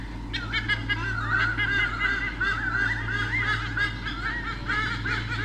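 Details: Two white-bellied sea eagles, mum and dad, defending territory from swooping currawongs, Sydney Olympic Park, Australia, 2013, recorded by nest camera: dense, fast honking calls, goose-like and repeated almost continuously after the first third of a second, over a low hum.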